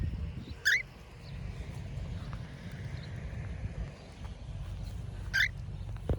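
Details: Cockatiel in free flight uttering two loud, rising, ringing calls about five seconds apart against a constant low-pitched rumble and faint outdoor noise.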